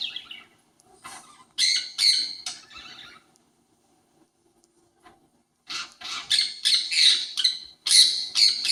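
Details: A pet parakeet imitating a conure's calls gives bursts of harsh, high chattering squawks in two rapid clusters, broken by a quiet pause of about two seconds.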